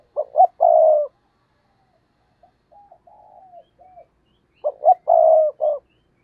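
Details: Decoy spotted dove calling to draw in wild doves. A loud phrase of short coos and one long coo opens, followed by a quieter string of soft coos, then another loud phrase about five seconds later.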